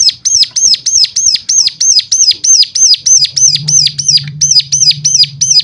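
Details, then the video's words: A bird sings to stimulate others into song, giving a long, even train of piercing, high, down-curving whistles, roughly three each second. A low hum swells toward the end. "full suara rangsangan jadikan cigun lain mana tahan auto gacor seketika."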